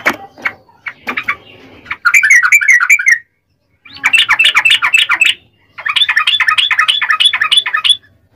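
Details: Yellow-vented bulbul in a long rapid 'ropel' fighting song, used as a lure to make other bulbuls sing; a few scattered notes open, then three bursts of fast, chattering, buzzy notes with short pauses between.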